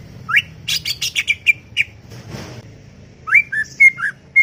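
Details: Greater green leafbird chattering in a garden: a rising whistle, a cluster of harsh buzzy notes and short whistles, a brief noisy rustle, then several clear slurred whistles near the end.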